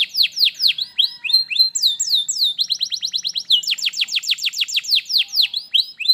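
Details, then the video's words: Tutor song of a canary, used to coax a reluctant bird into singing, with varied descending whistles, a steady high note, then quick rhythmic trills of sharp downward strokes. "kenarimu pasti ikut gacor || masteran kenari malas bunyi"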